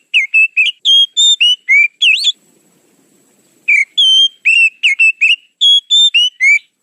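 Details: Oriental magpie-robin lure sound used to attract birds: bright, clear whistled notes with varied slurs, given in a quick burst, then a pause of over a second before a second lively run of phrases. No other sounds.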